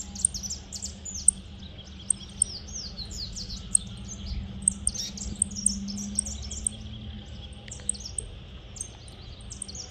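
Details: Saffron finch in the countryside, singing: rapid bursts of high chirping notes, irregular and densely repeated, over a low steady hum and rural background.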